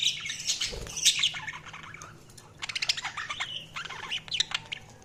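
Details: Budgerigar chirping in quick, clicky warbles and scratchy squeaks, a busy irregular stream of short notes at moderate loudness.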